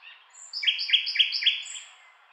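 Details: A common nightingale repeats one bright, ringing note four times at a steady pace, framed by a high thin whistle before and after.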